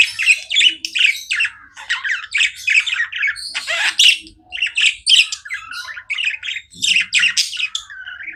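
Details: Budgies chirping without stop, rapid rasping chatter and high squeaks in repeated short bursts, a rolling, lively jumble of calls.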